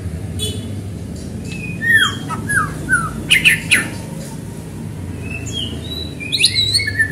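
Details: White-rumped shama singing to prompt other shamas to sing: scattered sharp whistled notes and short slurs, a loud clicking burst mid-way, then a quick flurry of high whistles at the end, low hum behind.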